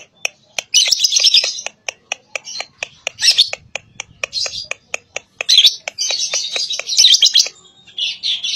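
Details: Lovebird song meant to draw replies from young lovebirds: bursts of harsh, high squeaky chatter alternating with quick sharp ticks, growing denser toward the end.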